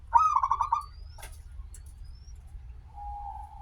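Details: Local zebra dove singing actively with a long opening, played as a lure to get other doves singing: a rapid pulsed stuttering coo, a soft click, then a lower, steady drawn-out coo, over low background rumble.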